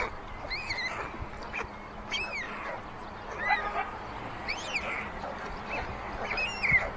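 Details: White storks at a chimney nest in Ságvár, Hungary, in May 2024, amid meadows and wetlands, as a sibling steals food from the youngest chick: thin, arched mewing notes repeated about once a second, mixed with soft scratchy clicks over a steady low hum.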